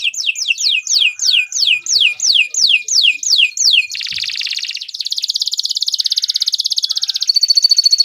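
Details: Canary delivering a long song for training young birds: about a dozen loud falling whistles in steady rhythm, then a dense buzzy trill that turns into a very fast high rattle.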